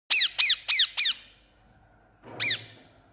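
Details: A parrot gives four harsh, rapid squawks in quick succession, each a sharp downward-sweeping screech, then falls silent before one more squawk with a soft low rumble in the background.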